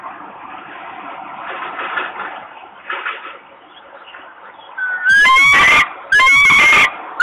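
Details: Young common kestrels, a pair, on a ledge in Włocławek, Poland, begging on 7 June 2021 as their mother arrives: a quiet noisy stretch, then two loud, harsh screeches near the end, each lasting under a second.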